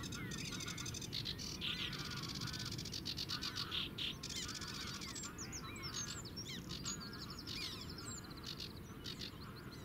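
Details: Clear song of a sedge warbler at the Zouweboezem wetland in the Netherlands, captured at a distance with a compact camera: hurried mix of dry rattles, buzzy trills and sharp chips, busier toward the end, above persistent low-pitched background noise.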